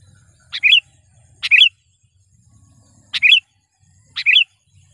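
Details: Sooty-headed bulbul, a lure bird used to call in wild rivals, giving short bright two-part calls: a sharp downward note then a bubbly warble, repeated four times with gaps of about a second over faint low rumble.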